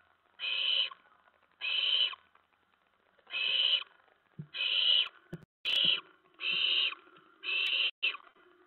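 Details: Night-time owl nest, 10 September 2017, about 2 AM, during prey deliveries of mice and a rat; loud rasping hiss bursts in an uneven series, separated by brief pauses and soft scuffling as owlets pounce.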